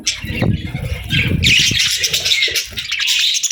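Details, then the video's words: Summer parakeet chirping opens with low rustling and fluttering, then swells into loud, continuous chatter with thin whistled slides. "Parakeets Chirping Sounds"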